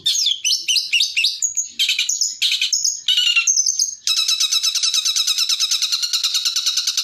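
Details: A long-tailed shrike delivers rapid 'tembakan' song meant for training other birds: quick varied whistled notes and scratchy bursts, then a long, even, rattling chatter of fast repeated notes to the end.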